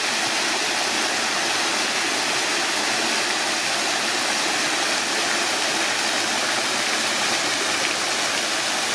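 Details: Unbroken roar of pouring fountain water, bright and hissy, holding a constant level throughout.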